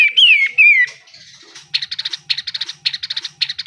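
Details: Pied triller, locally kapas tembak, in lively besetan-style song used as a model for training caged birds: two falling, slurred whistles, then rapid bursts of sharp ticking notes repeated in quick groups.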